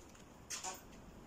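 A sulphur-crested cockatoo gives one brief, harsh, raspy squawk in two quick parts over a quiet room background.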